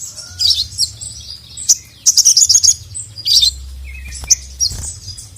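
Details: Crimson sunbird (sogon) calling for a male: quick high twittering bursts, then a rapid run of sharp chirps, with thin squeaky notes between them.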